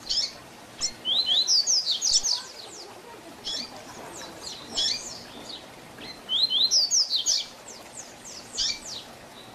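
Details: Double-collared seedeater singing in the tui tui zel zel style as a teaching song for young birds. Repeated phrases of quick, high, down-slurred notes merge into rattling trills, each phrase followed by looser single notes.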